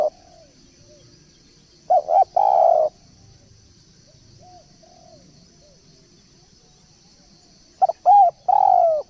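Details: Luring call of a spotted dove: a falling coo at the start, then two phrases about six seconds apart of clipped notes, a hooked coo and a long burry coo, with faint soft coos between.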